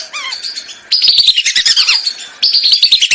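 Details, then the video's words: Lesser whistling duck lure recording: a faint rising-falling whistle, then two loud bursts of rapid, shrill whistled notes with downward slides. "MP3 pikat BELIBIS//suara ASLI, jernih & keras"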